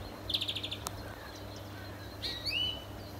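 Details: European greenfinch in a neighbour's garden gives a quick trill of about six bright notes, then a drawn-out, nasal wheeze that slurs upward, over a steady low hum.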